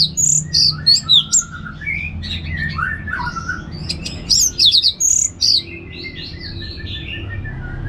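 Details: Relaxed ngeplong song of the Orange-headed thrush, played to make other birds sing: fast runs of varied whistles and slurred notes, dropping and rising, with a dense burst of clear phrases near the fifth second and a constant low hum.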